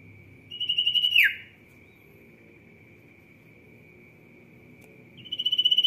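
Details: Sirtu singing energetically: a rapid pulsed high trill lasting under a second, ending in a sharp downward slurred note, then quiet before another trill begins, over a steady high-pitched background tone.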